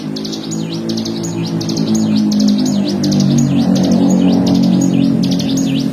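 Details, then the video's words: Bar-winged prinia in fast 'ngebren' song meant for training songbirds: high rapid zigzag notes continue throughout above a loud, steady low droning noise. "CIGUN GACOR FULL NGEBREN"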